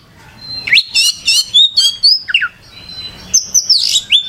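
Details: Oriental magpie-robin (kacer) singing in lively gacor style: rapid varied phrases of sharp whistles, downslurred notes and buzzy chirps, with a pause and then a fresh burst of high scratchy notes.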